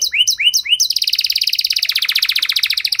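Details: Canary song played to get silent canaries singing: a few rising swept chirps followed by a very fast, even trill of repeated notes.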